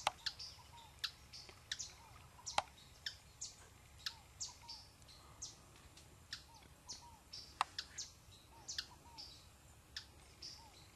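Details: Orinoco spinetail (Synallaxis beverylae) calling on river islands near Puerto Ayacucho, Venezuela/Colombia: short, soft, slightly rising notes about once a second, mixed with sharp high chips from other birds over a quiet background.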